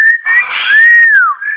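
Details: A happy, talking pet double yellow-headed amazon parrot gives a loud, clear whistle that holds steady, swells, then slides downward, with a person coaxing it in the background.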